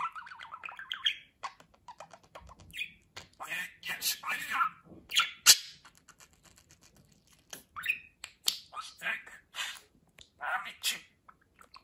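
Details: Budgerigar mimicking human speech in a long run of quick, scratchy, word-like syllables with rising chirps and brief pauses between phrases.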